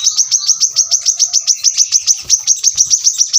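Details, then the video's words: Brown-throated sunbird delivering a rapid, even series of bright, high downslurred chips, roughly three to four per second, loud and clear. "kolibri kelapa | manggar | wiceh | tembakan rapat super tajam masteran burung korlap bahan"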